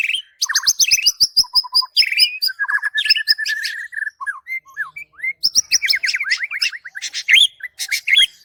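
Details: White-rumped shama singing as a master song for bird training: energetic bursts of sharp, high clicks and trills alternating with looping, rising and falling whistles and short, low, repeated notes, all loud and close.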